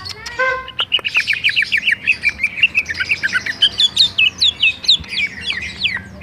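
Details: Greater green leafbird singing in rolling style: a lively run of clear, high whistled notes, many short slurred phrases rising and falling in quick succession, with faint background hiss.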